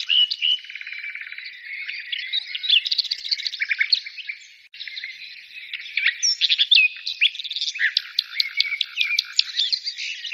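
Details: Birds singing in a thick chorus of high chirps, short trills and scratchy warbles, broken by a brief lull near the middle before bright staccato notes resume.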